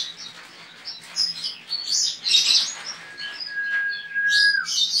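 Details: Javan white-eye from Pontianak, West Kalimantan, performing in an online singing contest; rapid high twittering phrases, then a long, steady, thin whistle that ends in a fresh burst of chatter.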